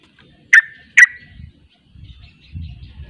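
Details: Sooty-headed bulbul (trucuk) singing in the rapid 'ropel' style, with other bulbuls joining in: two loud, sharp, clipped notes half a second apart, then quiet low rumbling.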